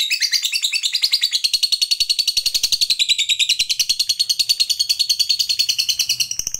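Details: Lovebird fighter's long 'ngekek panjang' chatter, a lure to raise other lovebirds' excitement: six seconds of rapid, regular, piercing high pulses that waver slightly in pitch, delivered without a break.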